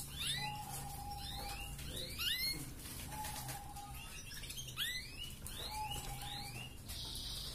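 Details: Red canary song in the 'gacor ngerek' style, meant to raise female breeding drive: bursts of rising whistled sweeps alternating with a flat sustained tone roughly every three seconds, ending in a brief buzzy trill.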